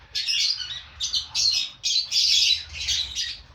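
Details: Lovebirds, five breeding pairs kept together in a colony, give shrill, harsh screeching bursts in quick succession, with short pauses between and a low hum underneath.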